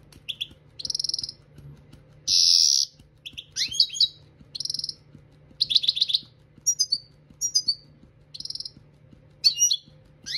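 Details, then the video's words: European goldfinch song used for song training: bursts of high twittering, buzzy trills and quick sliding chirps separated by short pauses, over a steady low electrical hum. "Chardonneret Dressage Maknin"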